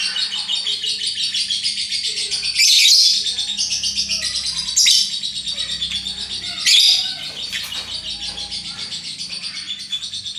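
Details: Caged pet lovebird chattering in a long, unbroken stream of rapid, high, scratchy notes, punctuated by three louder shrill bursts. The owner hopes to coax the extended ngekek song. A faint low hum runs underneath.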